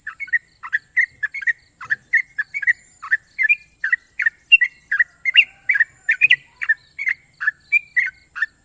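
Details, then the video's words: National champion sooty-headed bulbul delivering long, sharp trills, a string of short chirpy notes that jump up and down in pitch, spaced evenly about three per second against a steady high-pitched hiss. "burung trucukan juara nasional ropel panjang dan tajam"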